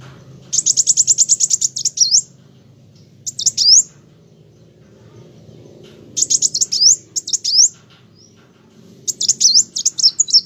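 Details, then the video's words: Olive-backed sunbird (kolibri wulung) singing vigorously in repeated bursts: each starts with a fast high trill and ends in sharp upslurred whistles, with quiet pauses of one to two seconds between phrases. "Burung Kolibri wulung ( kowul ) gacor mantab"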